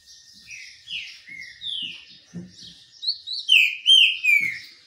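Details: Green-winged saltator singing during a sunbath, delivering a run of clear downslurred whistles that build into a louder, rapid phrase of sweeping notes near the end; soft low clicks and knocks in the background.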